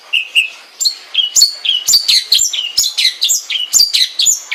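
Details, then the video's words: Long-tailed shrike in full song, a continuous, varied warble of high whistled slurs, rising and falling chirps and squeaky notes with barely a pause between them. "kicau cendet mania"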